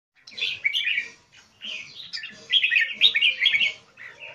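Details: Captive red-whiskered bulbul (jambul) from Thailand singing: bursts of rich, bubbly warbled phrases, fluty notes run together, three main phrases with short pauses between.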